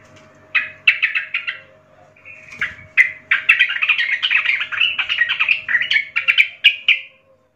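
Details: Young forest sooty-headed bulbul singing to train young birds: a long lively chattering phrase of quick bubbly notes running several seconds with few pauses.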